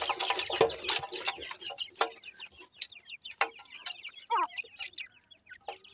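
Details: Francolin (teetar) chicks feeding, giving thin, high peeping calls in quick uneven runs, some sliding up then down, mixed with a few sharp clicks and lower clucking notes.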